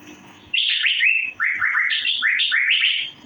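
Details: Fast chirping by an Asian fairy-bluebird, cucak biru, for mastering: an unbroken stream of liquid rising whistles tumbling over one another after a half-second of quiet.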